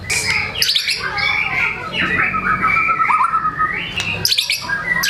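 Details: White-rumped shama unloading its song repertoire to stir lazy shamas into singing: dense, overlapping squeaky phrases, sliding whistles and a steady low rattling trill, broken by sharp high clicks.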